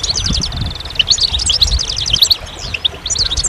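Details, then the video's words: Goldfinch song of quick, sparkling twitters and clipped trills, tumbling notes delivered almost without pause, with a low hum in the background. "Magical Goldfinch Songs"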